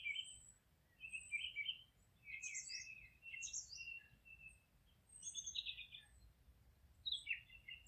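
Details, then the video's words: Distant forest birds singing softly: scattered high chirps and short twittering phrases over a steady low rushing background noise. "Forest relaxing sounds of singing birds"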